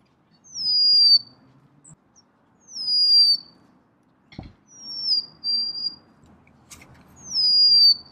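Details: Golden-crowned sparrow repeating its plaintive whistled song four times, each a high falling slide into a sustained note, with one sharp knock partway through and quiet gaps between phrases.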